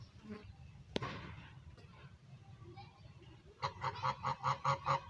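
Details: Domestic goose talking to its owner: after a few scattered sounds, a run of about eight short nasal honks repeated quickly and evenly through the last second and a half, over a low background rumble.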